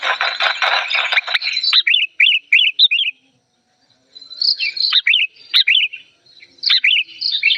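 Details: Agitated old sooty-headed bulbul, loud and clear: opens with a harsh rasping chatter, then crisp bubbly whistled notes in quick groups of two or three, a short pause, and more rising-falling whistles.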